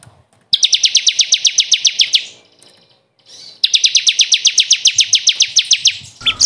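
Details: Bar-winged prinia, the ciblek kristal, in a recording meant to teach caged birds: two long rapid trills of bright high downslurred notes, split by a short quiet gap, ending in a sharp chirp.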